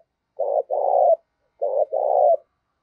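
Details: Spotted dove fighting call used as a decoy: two phrases, each a short throaty coo then a longer steady coo, repeated after about a second's pause, in an otherwise silent recording.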